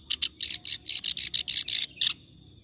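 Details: Clamorous reed warbler in nonstop song for training other birds: a short burst of loud, harsh, buzzy churring notes in quick succession, ending in one lower grating note.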